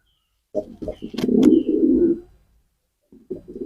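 A pigeon gives low, throaty, rolling coos in a burst lasting under two seconds, then starts again after a short pause.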